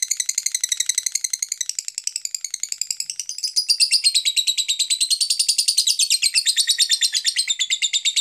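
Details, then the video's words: Lovebird song meant to coax other lovebirds into singing: a dense run of quick, high, scratchy chirps, softer at first, then louder and more piercing from midway, without breaks. "Suara Burung Lovebird Ini Bisa Memancing Suara Lovebird lainnya Supaya GACORRRRR"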